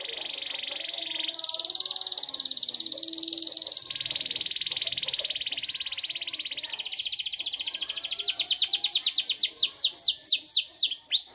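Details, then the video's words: Local canary giving a long sustained song: steady buzzy rolled trills held for several seconds, shifting pitch between sections, ending in a series of rapid sweeping whistled notes; a few faint voices in the background. "Kenari Lokal Gacor Dor"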